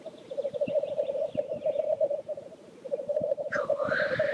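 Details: Black grouse displaying at a lek: a continuous low bubbling, cooing roll runs throughout, and one sharp, rising hissing sneeze breaks in near the end.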